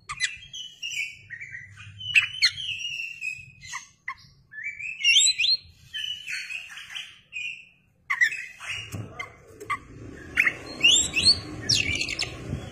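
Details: Oriental magpie-robin singing as a lure, tail fanned: spaced whistled notes and short rising slurs with clicks, pauses between phrases, and a hissing rustle under the final bright warbled bursts.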